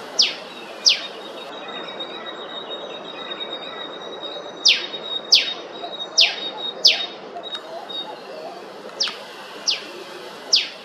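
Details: Queensland eastern spinebill, native Australian honeyeater, giving a long irregular series of piercing high chips that each drop steeply in pitch, in loose clusters of two to four with pauses, against faint background hiss.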